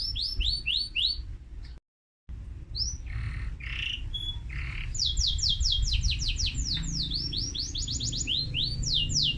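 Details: Canary song: fast, loud runs of bright, sweeping notes repeated in quick trills, with brief rolling buzzy phrases and a short pause, over a low background rumble.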